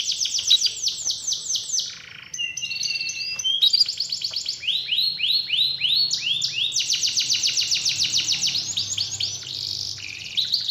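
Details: Lure recording of a canary in song to coax an idle canary back into singing: rapid rolling trills and chains of downward-slurred notes, a short break near two seconds, then sustained varied, high-pitched phrases.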